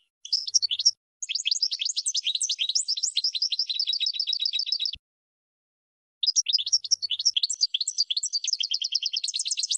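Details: Bright tinkling goldfinch song: long runs of rapid, high twittered notes and buzzy trills in two phrases split by a pause of about a second.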